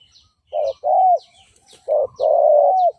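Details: Spotted dove decoy cooing, used to lure and provoke fighting males: low, mellow coo notes in two groups, each a short note followed by a longer drawn-out one, with faint high chirps from other birds.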